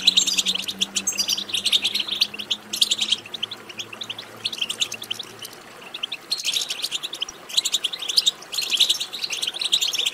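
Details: European goldfinch song used to encourage a goldfinch to sing: energetic, high twittering phrases, a softer stretch around five seconds, then renewed rapid chirping bursts; a faint low hum during the opening seconds.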